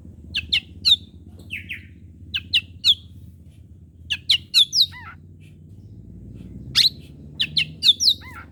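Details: Oriental magpie-robin singing in the morning, used to provoke rival birds: varied, separated whistled and sharp notes, some rising and some falling, in short phrases with pauses, over a low background hum.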